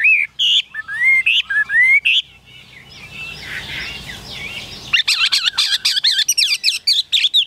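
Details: Caged Chinese hwamei, a tamed bird kept in Vietnam, singing loud, varied whistled phrases with sliding notes for about two seconds, then softer warbling, then a rapid, dense run of tumbling, buzzy notes.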